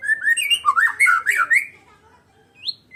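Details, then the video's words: White-rumped shama of the Medan type singing alone, a quick varied phrase of sweet slurred whistles lasting about a second and a half, then two short high rising notes. "KICAUAN BURUNG MURAI BATU MEDAN TANPA LAWAN"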